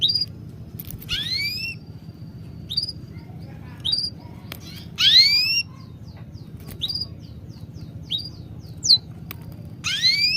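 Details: Birds chirping: loud sweeping upward whistles and short sharp chips at irregular spacing, some overlapping, with a faint thin whistle line and low background hum.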